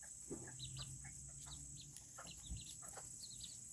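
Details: Small Serama chickens in a coop on a cool Tuesday. Quick, high peeps come in pairs and short runs over quiet clucking, with a soft thump or two and a continuous hum behind.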